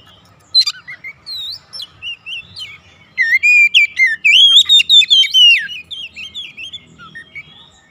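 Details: Oriental magpie-robin kept as a house bird, singing diligently, gacor style: scattered sweet whistled slurs build into a dense, loud stretch of rapid rhythmic whistled notes, then taper to softer warbles.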